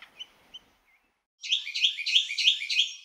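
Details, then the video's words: Asian koel giving a rapid, regular run of harsh, shrill notes, about three per second, after a few faint chirps and a short silence. "Asian Female Koel VS Male Koel, Sounds Of Koel"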